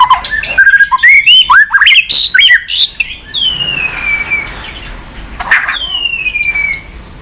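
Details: White-rumped shama pouring out fast 'tạch' song meant to fire up a weak-spirited shama; dense jumble of sharp whistled notes, then long thin whistles gliding downward, repeated after a short pause.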